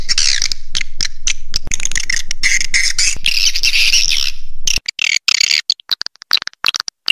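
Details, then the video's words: Swiftlet roosting lure call of the 'Raja Di Laut' style: a dense flock-like chatter of buzzy, high twittering chirps over a low steady hum, then an abrupt cut about two-thirds through to choppy bursts of chirps separated by silence. "Suara Inap Walet Raja Di Laut Call Swallow Birds"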